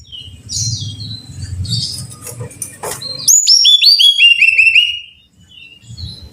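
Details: Brown-chested jungle flycatcher song for training caged birds to sing: soft high twittering over low rumbling noise, then a loud rapid run of repeated downslurred whistles dropping stepwise in pitch.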